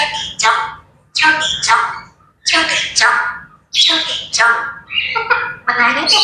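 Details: Grey parrots chattering at wake-up time, giving loud raspy squawks in paired bursts, repeated roughly once a second across the stretch, with brief quiet gaps between groups.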